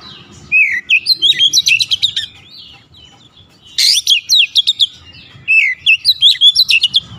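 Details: Oriental magpie-robin (kacer) singing energetically: a sliding whistle opens into a rapid chattering phrase of high, sharp notes. After a short silence the bird repeats similar phrases twice, each a run of quick, varied notes.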